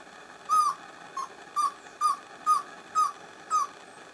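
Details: Pale-billed antpitta, a Peruvian endemic, at San Lorenzo in humid montane bamboo forest of northern Peru; a series of seven short, clear whistles with a slight down-slur, spaced about half a second apart, with faint clicks above.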